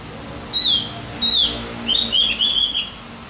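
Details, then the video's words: Javan grey-throated white-eye song for firing up other birds: two separate high whistled notes, then a faster run of chirping, warbling notes. "Masteran buat burung OPIOR JAWA agar tambah emosi"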